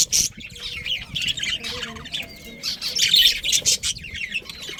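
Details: Budgerigars in a breeding family colony give busy, scratchy high chatter, with rapid chirps and squeaks in clustered bursts and a few faint drawn-out notes in between.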